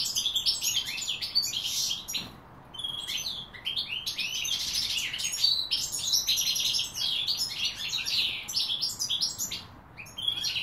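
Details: European goldfinch singing, recorded in 2016: a fast, continuous tinkling twitter of high buzzy and liquid notes in long bursts, broken by two brief pauses, with faint background hiss.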